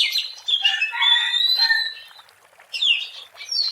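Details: Oriental magpie-robin (kacer) singing in the wild, recorded for use as a lure: loud varied whistled phrases with sliding notes, a pause, then more sharp whistles.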